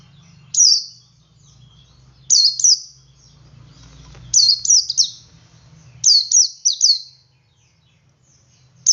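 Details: Ngalas song of a male Oriental white-eye, meant to set other white-eyes singing: a single high note, then bursts of two to four rapid, sharp, descending whistles spaced about two seconds apart, with a low background hum.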